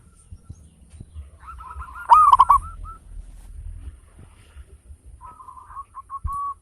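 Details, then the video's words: Local zebra dove, used as a lure to stimulate others: one loud rolled cooing phrase surrounded by quieter runs of short hooked notes, over a steady low rumble. "Perkutut lokal gacor suara besar ketukan indah cocok buat pancingan perangsang bunyi"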